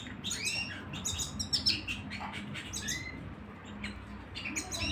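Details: Indoor canary song: clusters of sharp, high twittering notes and one smooth rising whistle, delivered in short bursts against a low background hum.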